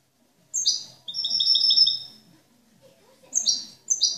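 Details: Captive European goldfinch, a show singer praised as a model bird with clean, faultless song, gives short high chirps and a run of repeated twittering notes, with quiet pauses between phrases.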